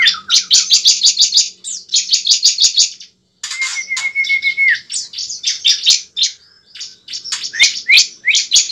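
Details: Bar-winged prinia fighting song used as a lure to make a kept bird sing and fight: fast bursts of high buzzy chips repeated about three per second, broken by a short gap and one long, level whistled note.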